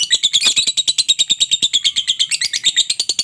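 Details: Lure for quiet lovebirds to call back: steady, piercing chirps repeated about six times a second without a break.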